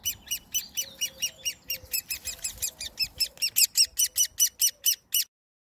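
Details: Great spotted woodpecker chick fed by hand on 30 May 2020 after losing its parents, calling insistently for food: shrill, scratchy chips about four per second that grow louder, then stop abruptly, with faint soft tones beneath.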